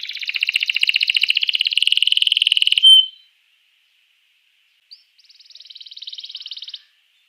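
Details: Canary song meant to stimulate other canaries to sing: a long, loud, very rapid rolling trill lasting nearly three seconds, ending in a clear whistle, then silence and a second, softer fine trill.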